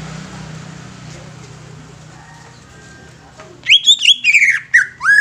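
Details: Young greater green leafbird, used to stimulate other leafbirds; after several seconds of quiet hum, a burst of loud, rich, slurred whistles begins abruptly.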